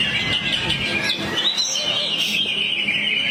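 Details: Greater green leafbird delivering song material while crouched: rapid chirps, a sharp upslurred whistle and buzzy chatter tumble together, with soft speech-like murmurs below.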